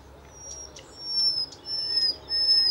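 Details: Common Nightingale, omnipresent and heard singing everywhere on the plateaus between Aragon and Extremadura, Spain, sings a run of long, pure, high whistles, swelling and breaking off, with a lower whistled note between phrases.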